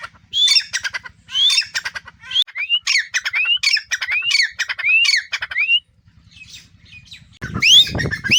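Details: Grey francolins, two captive birds, calling in response to their owner's whistle. A series of sharp, rising, whistled upslurs is repeated about every half second with rattling clicks. A brief pause follows, then a loud harsh burst near the end.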